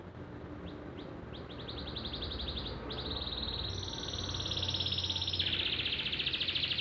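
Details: Canary singing in the lively 'gacor nembak' style: rapid series of short high notes speeding into buzzy trills, ending in a loud sustained rattling trill; faint low background hum.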